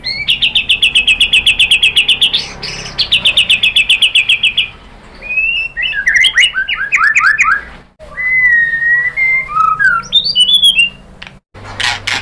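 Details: Song of a white-rumped shama, played to set other birds singing. Two long, fast trills of identical high notes are followed by varied whistled phrases: slurred rising and falling notes, chatters and a sweeping glide.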